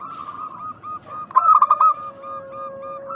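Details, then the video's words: Local zebra doves as a calling lure: soft rolling coos, a loud stuttered coo burst in the middle, then gentle repeated coos. "Pancingan burung perkutut lokal gacor suara mengundang bunyi langsung nyaut."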